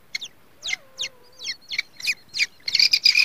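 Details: Day-old grey francolin chicks peeping: bright downward-sweeping chirps roughly three a second, swelling into a dense, louder cluster of overlapping high notes at the end, a faint low whistle threading underneath early on.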